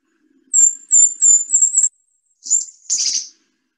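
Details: Golden-crowned Kinglet, a very small northeastern songbird, singing its high-pitched song: five very high, thin, whistled notes in quick series, ending in a brief tumbling chatter; no other sounds.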